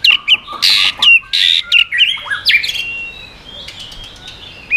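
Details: Tail-flicking white-rumped shama singing to provoke other birds: harsh buzzy bursts alternating with clear high whistles, followed by sliding whistled notes fading into a quiet stretch and a final short note.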